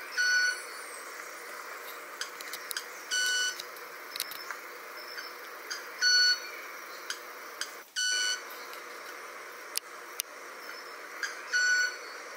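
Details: Two Club-winged Manakins display for a female at the "23 de Junio" Reserve, Ecuador: a pure, electronic-sounding ringing wing note repeated five times every two to three seconds, with buzzy clicks and insect hum.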